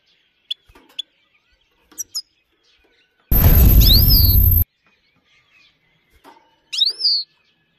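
Himalayan goldfinch giving scattered thin, high chirps and quick rising whistled notes, broken midway by a loud burst of rough noise.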